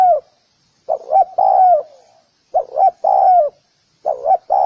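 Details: Low, mellow phrases from a spotted dove, one after another. Each phrase has two quick rounded coos, then a drawn-out note that slides downward. Roughly three full phrases are heard, with nothing behind them.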